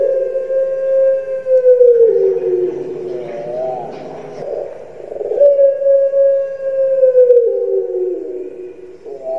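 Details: Captive Barbary dove (puter pelung, Streptopelia risoria), Indonesia, gives long, drawn-out coos, each a smooth, steady low note of about two seconds that sags slightly at the end, with a brief bubbling, rolling phrase between them.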